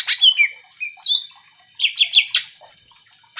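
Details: Greater green leafbird, a kept songbird in full song, played to provoke other leafbirds into answering: varied whistled and slurred notes with sharp chips, some sweeping between high and mid pitch, delivered in quick bursts with short pauses.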